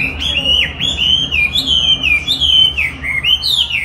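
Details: Chinese hwamei being trained with playback of its own song, which it eagerly duels against; a rich continuous run of loud whistled phrases, slurred up and down with quick sweeping notes, over a faint low hum.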